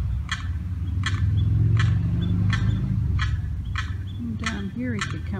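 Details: Separated from its mother and sibling behind a fence, a little Limpkin gives rapid distress calls, eight clipped harmonic notes at roughly 0.7-second intervals, with low rumbling and a brief wavering sound near the end.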